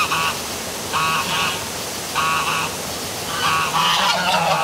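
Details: Geese calling after dark beside a city waterfall in Milford, Connecticut: loud, rhythmic honks in repeated bursts roughly every second, growing more crowded at the close, with rushing water underneath.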